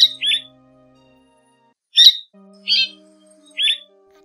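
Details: A striated swallow flock-call recording, used as a lure for trapping, gives short, sharp, buzzy chirps, single or paired, about once a second, over a faint steady low hum.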